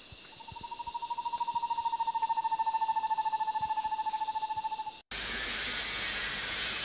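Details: Roraima screech-owl (Megascops roraimae), Amazonian species, song: a long, even trill of rapid notes on one steady mid pitch for about four and a half seconds, over constant high insect hiss.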